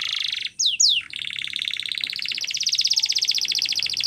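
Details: Canary singing for training: a buzzy trill, two sharp sweeping downslurred notes, then a long continuous rattling trill that rises slightly in pitch and grows stronger.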